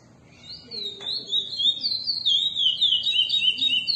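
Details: A chestnut-bellied seed finch sings a classic-style song, a long, rich, flowing string of clear whistled notes rising and falling without pause, over a faint low hum.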